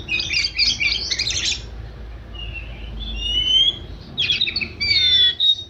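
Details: Oriental magpie-robin song that opens with a dense burst of harsh, chattering notes. Thin sliding whistles follow, then another rapid, bright, varied phrase.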